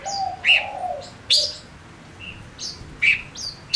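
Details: Male Gouldian finch used to lure wild birds, singing: strong sharp chips spaced about a second apart with thin high whistles between, and a low drawn hum at the start.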